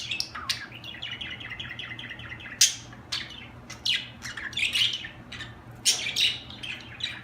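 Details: Budgies chattering in a rapid string of short, evenly spaced chirps, then louder buzzy squawks and warbles, over a constant low hum.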